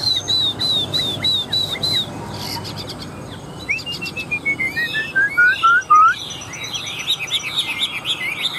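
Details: A caged Chinese hwamei sings loudly while bobbing its head. A run of repeated clear upslurred whistles leads into descending slurred notes, then fast varied whistled trills and warbles. A brief noisy rustle sounds early on.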